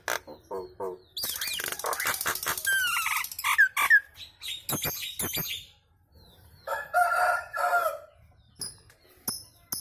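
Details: Chattering kemrewek song of a Nias hill myna, with other birds set singing too: a dense harsh rush packed with sliding whistles and clicks, a brief pause, then a rough squawking burst and scattered clicks.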